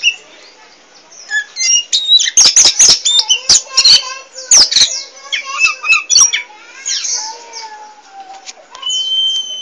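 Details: Energetic poci Oriental magpie-robin chattering on and on, a quiet start giving way to rapid loud clicks and buzzy chirps, then long falling whistles and a steady high note near the end.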